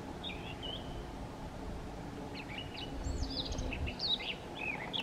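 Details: Eurasian blackcap singing in Chełm, Poland, on 17 May 2022, in breaks between feeding; short varied warbling and whistled phrases, faint at first and louder later, over steady low rumbling background noise.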